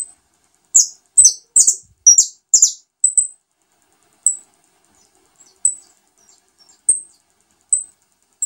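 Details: Saffron finch feeding its new brood of chicks: thin, very high chirps, first in a rapid cluster of scratchy bursts, then spaced single peeps about every second.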